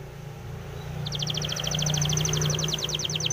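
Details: Spanish timbrado canary training song: a rapid, evenly spaced trill of bright, high pulses begins after a second of quiet and continues steadily over a noticeable low rumbling background.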